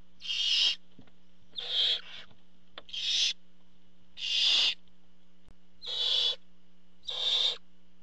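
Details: Barn owl nest at a feeding visit by the father: six rasping hissed screeches, each under half a second, delivered at an irregular rhythm of roughly one per second.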